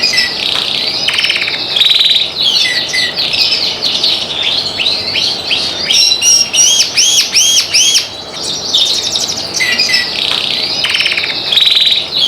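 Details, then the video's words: Ringed canary singing without pause, a rapid mix of buzzy rolls, chattering trills and runs of looping arched whistles, over a constant low hiss. "Kenari SF Ring 24 Gacor Guys !!"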